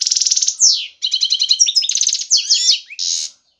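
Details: European goldfinch male ready to breed, singing intensely to attract a female. Rapid pulsed buzzing trill opens, followed by jangling chirps, twittered slurs and a closing buzzy note.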